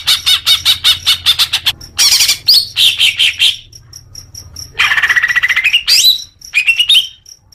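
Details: Leafbird song for young-bird therapy: quick high chatter, harsh buzzy bursts, a long rising twitter and sharp upward whistles, with a soft low hum in the background.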